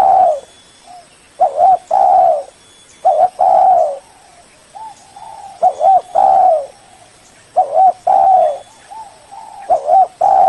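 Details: Spotted dove calling a rival as a lure: a steady series of wavering double coos each followed by a long drawn coo, about every two seconds, with faint answering coos.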